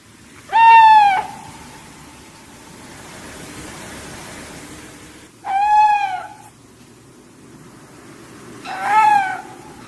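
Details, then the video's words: Owl giving three loud, harmonic-rich calls, each a short slightly arching note that trails off into a thin steady tone, spaced roughly four seconds apart over a faint low background hum. "Owl Sound - Son du Hibou - صوت البومة"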